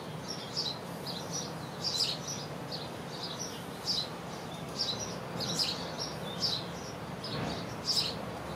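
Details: Tree swallows around bird houses during their fledglings' first flight. Thin, high chirps come in loose clusters and irregular bursts against a soft, constant hiss of outdoor noise.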